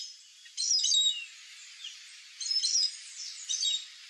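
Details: Chestnut-eared aracari, the best-known aracari of central Brazil, giving bursts of high squeaky notes in short clusters, separated by pauses of about one to two seconds.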